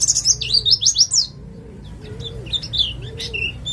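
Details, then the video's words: White-eye, East Java ngalas bird, singing as a lure to start other birds singing: quick loud high twittering for just over a second, then faint scattered chirps and a repeated soft low whine. "Pleci jatim ngalas cocok untuk pancingan bunyi"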